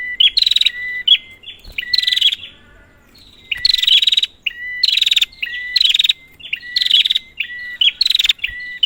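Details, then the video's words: Prinia calls used to stir up a stalled bird: harsh rattled bursts paired with clean level whistles, a short lull near the middle, then quick repeated bursts again. "Prenjak, Pancingan ampuh untuk burung prenjak macet"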